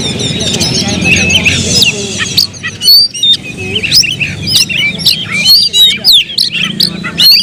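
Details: Pet Oriental magpie-robin singing quiet scratchy twitters at first, then louder bursts of sharp whistles and clicks in quick succession, with a low steady hum in the background.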